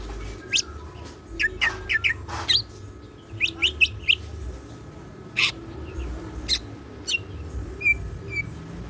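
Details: Caged greater green leafbird singing actively, with siklon fill: crisp high chips grouped in twos and threes, several loud sharp squeaks, and a few thin whistles near the end, over low steady background hum.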